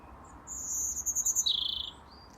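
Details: European robin singing in a Dublin garden in February: thin, high, sweet warbled phrases, a sustained high strand followed by a lower trilling run, all within about two seconds.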